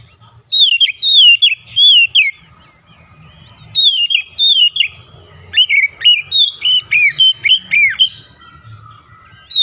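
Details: Oriental magpie-robin giving loud provoking song that is meant to rouse a rival, with bright whistled notes that sweep down and up in rapid bursts of three to five, separated by short pauses, and a faint low rumble beneath.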